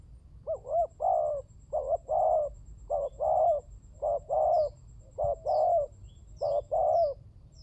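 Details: Spotted dove (tekukur) cooing, used as a lure call to prompt other doves to call: steady series of hollow, low, paired coos, each phrase a short note then a longer rolling one, repeating about once a second, with faint high chirps from small birds and low hum.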